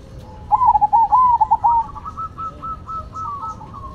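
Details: Perkutut (zebra dove) song in a Cemani versus Silver contest: one loud, clear coo phrase of rapid rolling notes, then a long, quieter, wavering trill that keeps running at the same pitch.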